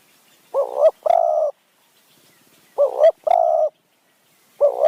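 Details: Spotted dove in high mountain forest near Kanchanaburi, Thailand, cooing in the kʰuː-àːŋ and nǔn-àːŋ styles while wild doves are lured with a decoy bird: a wavering double-humped coo followed by a longer level coo, repeated about every two seconds in near silence.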